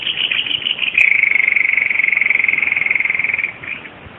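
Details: White-bibbed babbler, a bird endemic to Java, in a tutor recording: one steady, rapid, buzzy trill held at an even pitch for about two and a half seconds, then fading into soft background hiss.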